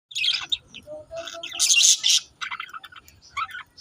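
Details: Pet budgerigars chatter in quick, scratchy warbles and high chirps, a busy run of bright twittering notes with short pauses between bursts.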